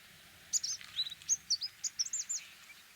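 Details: Orange-breasted sunbird giving a fast run of high, sharp chirps and short downslurred tinkling notes, about a dozen in two and a half seconds, loud and clear against a quiet low rumble.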